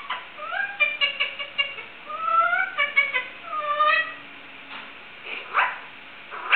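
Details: Pet Indian ringneck parakeet making chicken-like sounds and singing: stuttering clucking notes, then smooth whistled slurs rising and falling, followed by a few harsh squawks.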